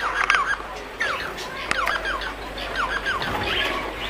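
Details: Softer Bengalese finch song, a run of wheezy, descending whistled notes and gritty chatter in short repeated clusters, slightly muffled, over a low background hum and occasional tick.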